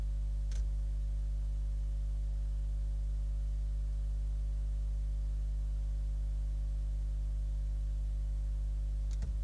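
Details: Constant electrical hum and static, broken by two sharp clicks near the start and end.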